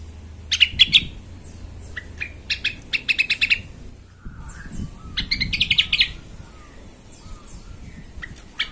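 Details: Agitated yellow-vented bulbul song played as a lure to excite other bulbuls; irregular clusters of quick chattering notes, with a faint low hum beneath the first half.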